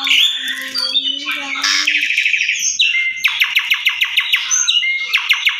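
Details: Asian pied starling lure song recorded indoors: a scratchy, squeaky jumble with a low steady tone underneath, then a fast train of sharp clicking notes repeated several times a second.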